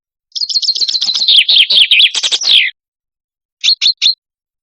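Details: Common chaffinch in Lebanon, recorded as a hunting lure: a fast, bright trill sliding downward and ending in an emphatic flourish, then, after a pause, three short, sharp chirped notes in quick succession. Nothing else is heard.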